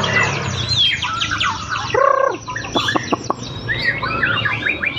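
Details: A white-rumped shama, placed on the ground beside a street to test its nerve, sings a rapid, varied run of rich whistles, slurred notes and sharp chips without pause over low traffic rumble.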